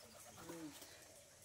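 A pigeon gives a soft, low coo that slides gently downward.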